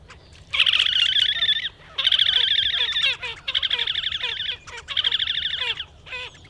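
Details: Slavonian grebe delivering loud, rapid, quavering trills in four long bursts of about a second each, linked by shorter stuttering fragments, high-pitched and buzzy against a quiet low hum.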